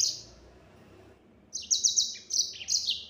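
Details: Yellow-fronted canary singing in the fast 'nembak' style: a brief high twittering trill, a pause, then a run of rapid, sharp, high-pitched chirping phrases with quick downward sweeps.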